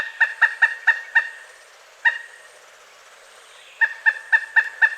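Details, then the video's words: Pileated woodpecker in mating season, late winter to early spring, calling in bursts: five quick kuk notes, a single note after a pause, then another run of five. "Pileated Woodpecker Sounds: Call, Drumming, Mating Voice & More Explained!"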